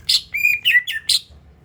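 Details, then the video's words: Brief lure phrase from a greater green leafbird meant to prompt other birds to sing: sharp high chips bracketing a sustained clear whistle and two descending slurred notes. "INI DIA PANCINGAN SUARA CUCAK IJO"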